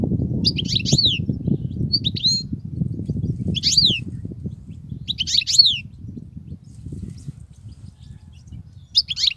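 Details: European goldfinch, a wild bird in continuous singing: repeated short phrases of high falling twitters about every one and a half seconds, over low rumbling noise that fades toward the end.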